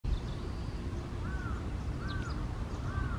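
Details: Eastern spot-billed duck at a park in Japan, three arched nasal quacks spaced about a second apart, over heavy low rumbling traffic-like noise.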